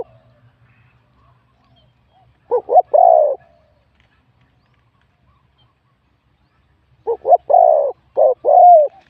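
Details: Spotted dove, a wild bird with a medium-to-large voice, singing at a competition. After a silent opening come two clear phrases, each of quick short coos leading into a longer, drawn-out falling coo.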